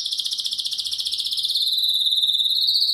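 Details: Intense, powerful song of a Spanish canary: a rapid pulsing high trill that glides slightly lower partway through and carries on steadily to the end.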